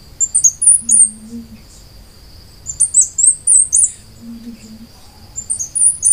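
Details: Costa Rican brushfinch singing high, thin whistled phrases of quick slurred and swept notes, delivered in three bursts a couple of seconds apart; a soft low hum sounds twice in the background.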